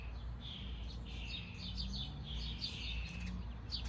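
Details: Birds chirping in a backyard; a steady run of high, quick chirps and short twittering notes, with low hum underneath.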